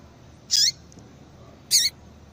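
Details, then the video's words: Two loud, high, buzzy notes about a second apart, given by a female yellow-bellied seedeater to prompt a male to sing; each has a dropping tail, with faint ticks between them. "Faça o teste com Esse Piado de Fêmea de Papa capim é Seu Papa capim Vai Ficar Cantando RÁPIDO!!!"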